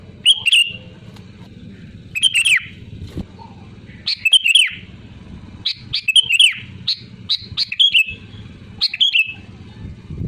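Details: Lively Sooty-headed bulbul calling to challenge rivals: a steady series of bright, bubbling whistled phrases and sharp chips, repeated about every one to two seconds over a low hum.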